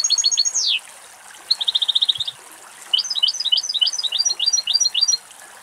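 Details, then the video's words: Wild European goldfinch foraging in Greek countryside, singing bursts of bright chirps: a quick run of high notes, a descending slurred note, a fast buzzy trill, then a liquid twittering series of paired notes. "Καρδερίνα Κελάηδημα - European goldfinch song"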